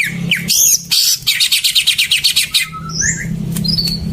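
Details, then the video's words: Greater green leafbird song as a lure to restart silent birds: a harsh squawky burst, then a rapid rhythmic series of scratchy notes, followed by a few soft slurred whistles over a low hum. "Pancingan burung cucak ijo macet"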